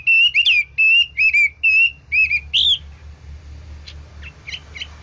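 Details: Hwamei with a fine changing song gives a string of clear level and dipping whistles over about three seconds. Then faint chips come over a steady background hum.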